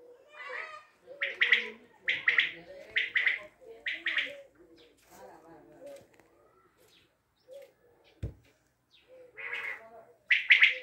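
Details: Quail from Tajikistan, with bursts of quick three-part calls repeated roughly every second, a pause with murmured voices and a thump midway, then the calls resume.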